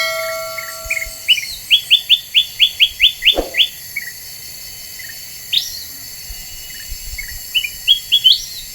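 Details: Lively Black-winged bulbul lure song meant to agitate other birds: a fast series of about ten crisp rising chirps in the middle, a single thump, then scattered sharper notes and a final short chirping run.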